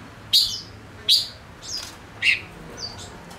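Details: Male Gouldian finch kept as a lure bird, singing to draw in wild birds: loud sharp chirps roughly every second, then a thin high whistled note, separated by short pauses.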